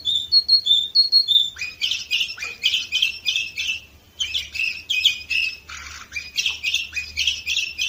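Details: Canary singing in Varna, Bulgaria, in 2018: a few clear whistled double notes, then fast repeated buzzy, trilled phrases at a steady, lively pace, with only a faint low hum behind.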